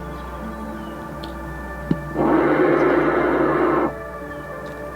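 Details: A steady humming drone with a sharp click, then a loud, gong-like resonant wash for about two seconds; no animal voice is heard.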